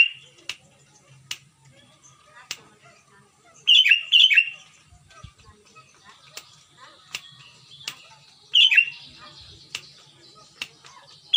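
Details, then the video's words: Clear-voiced Sooty-headed bulbul recorded around Bandung, West Java, Indonesia, used to stimulate non-singing bulbuls: a pair of quick warbling bursts near four seconds and another near nine, over a background of regular sharp clicks. "kutilang gacor suara plong tembus pancingan buat kutilang macet"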